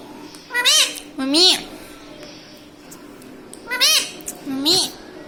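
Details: Talking pet parrot that says mummy: four separate rasping, word-like syllables, each rising then falling in pitch, given in two pairs with a quiet gap between, in a small room.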